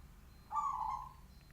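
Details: A single loud, resonant coo from a local zebra dove with a big voice, held about half a second with a gently trilled texture, over quiet low rumble.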